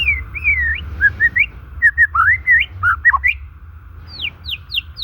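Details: Song of a white-rumped shama, natural recording meant to lure and stir silent or stressed shamas; varied rich whistles, rising and falling, give way to four sharp descending high notes, with a low steady hum underneath.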